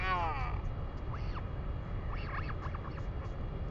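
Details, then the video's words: Northern royal albatross in New Zealand, recorded 3 May 2020: a loud harmonic call in the first half second, then faint arched notes over steady low wind rumble. "NZ Northern royal albatross"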